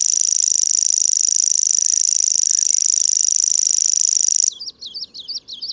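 Common grasshopper warbler reeling: a continuous, very high, insect-like trill held steadily for several seconds, then a few quick repeated chirps.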